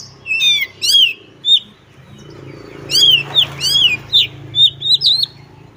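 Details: Kacer, the Oriental magpie-robin, in lively ngobra display, unloading its repertoire: clear descending and rising whistles, sharp high chirps in scattered bursts, then a run of quick varied notes, with soft rustling and low background hum.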